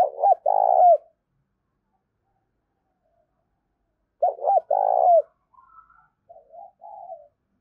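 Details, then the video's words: Spotted dove calling to attract wild doves: two loud phrases about four seconds apart, each a pair of quick hooked notes leading into a drawn-out coo, the second followed by softer, lower murmuring coos. "Tiếng chim cu gáy gọi và thúc bổi"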